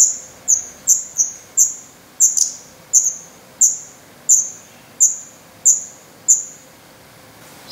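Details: Young Black Redstarts in a nest in Portugal on 17 May 2020, hungry and losing their down; about a dozen sharp, high, falling chirps at irregular half-second to second intervals, otherwise quiet.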